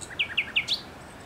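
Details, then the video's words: Close, loud thrush nightingale singing in bushes on 8 May 2021: three rich, repeated notes roughly a fifth of a second apart, each trailed by a softer lower note, then a sharply rising higher flourish. "Śpiew słowika rdzawego w krzakach"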